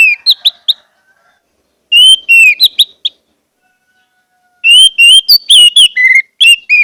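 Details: Orange-headed thrush song used as a lure to get silent birds singing: loud clear whistled phrases, mostly slurred notes with quick sharp accents, delivered in three bursts separated by pauses of about a second and a half.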